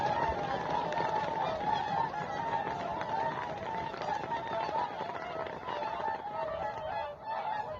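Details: A flock of Whooper swans on Lake Vandjala, Maardu, Estonia, at 7:45 on 12 November 2023, before ice, snow and frost, gives loud, bugling, trumpet-like honks, many voices overlapping continuously in a dense chorus.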